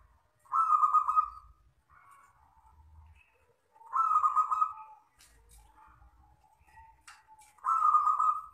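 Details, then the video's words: Wild local zebra dove giving its long 'crystal' style song: three loud, rolling, harmonic coos, each about a second long, repeated roughly every three and a half seconds, with soft lower notes between. "perkutut lokal alam gacor ( suara kristal panjang )"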